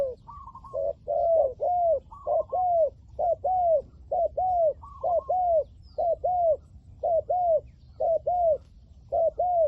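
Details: Caged decoy spotted dove of the 'liu tan' type luring wild doves, cooing in rapid pairs, each a short note followed by an arched descending coo, repeated roughly every half second with a few higher notes interspersed.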